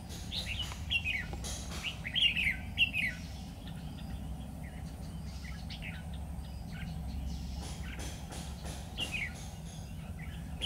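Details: Red-whiskered bulbul of the Lung tom type, singing as a decoy during trapping on 12 September 2019; short slurred, falling chirpy phrases cluster early, then sparse notes, with insect-like buzzing and low rumbling noise.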